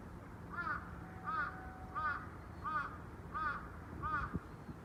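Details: Six short, clipped crow caws at an even pace of about one every 0.7 seconds, with a faint steady tone and low rumble behind.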